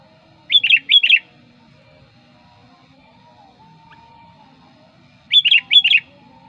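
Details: Sooty-headed bulbul lure song, two short doubled bubbly phrases several seconds apart, each made of quick high tumbling notes, with quiet in between.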